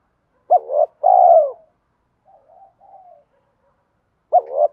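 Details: Spotted dove giving its fighting coo, used to lure wild doves when trapping: a short doubled note, then a long rolling coo, soft trailing murmurs, and a new phrase starting at the end.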